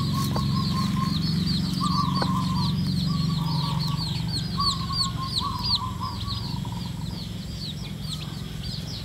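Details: Red junglefowl hen leading her chicks to forage in the wild: her low, soft clucks under a constant stream of thin, high chick peeps, about three a second, over a steady low rumble.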